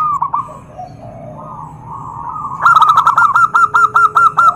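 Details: Zebra dove calling to provoke other doves into answering. Soft distant cooing from other doves comes first, then a loud close bird gives a rapid run of about ten bouncing, fluttering coos that repeat evenly to the end.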